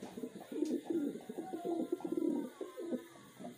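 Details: Wild pigeons raised in captivity give a steady stream of low, bubbling coos in quick, uneven pulses with no clear break.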